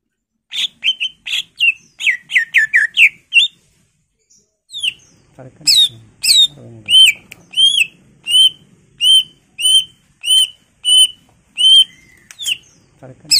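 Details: Greater green leafbird (cucak ijo) singing continuously in full-isian style: fast chattering phrases, then a steady series of arched whistles repeated roughly twice a second.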